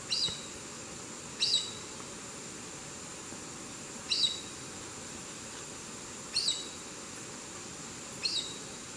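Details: Chestnut-eared aracari at Santa María, Boyacá, giving five sharp, high, squeaky call notes at uneven gaps of about two seconds, over a steady low hum and background hiss.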